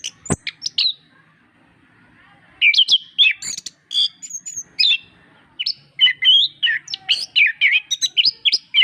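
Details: Orange-headed thrush (anis kembang) singing as a master track for birds that are slow to sing; a lone sharp note, a pause, then a long, dense stream of varied whistled and mimic-like phrases.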